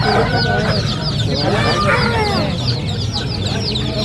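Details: A crowd of baby ducks keeps up rapid, overlapping high peeps, roughly three or four per second, over a constant low rumble.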